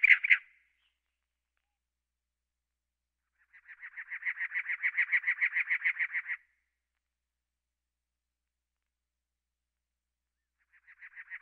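Cactus wren giving a harsh, rasping, chugging series of about fifteen rapid notes over three seconds, swelling in volume, with another series starting at the end.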